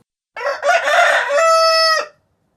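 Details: Rooster crow at sunrise in rural surroundings, rougher and more grating than a clean crow: a noisy, broken first half running into a clearer, level, tonal held note that ends abruptly.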